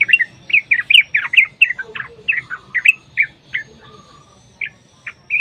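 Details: Sooty-headed bulbul lure song in a long rapid fighting style, meant to set other bulbuls singing. A fast series of bright, slurred chirping notes, dense at first, then thinning into spaced single notes.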